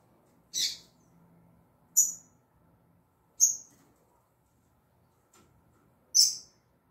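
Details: Female double-collared seedeater, a tui tui zel zel singer, giving single sharp high chips spaced roughly every one and a half seconds, with a faint low hum underneath.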